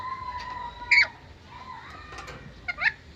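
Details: Black-capped lory, a captive-bred Indonesian parrot that mimics many human words. A long steady pure whistle, then a loud harsh squawk, a softer wavering tone and a final scratchy squawk.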